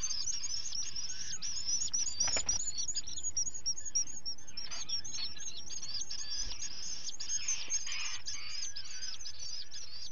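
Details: Common guillemot chick on a breeding ledge at breakfast time, filmed by a live cam on 11 July 2020: thin, high, rapidly repeated peeping whistles, many overlapping, with a steady background hiss.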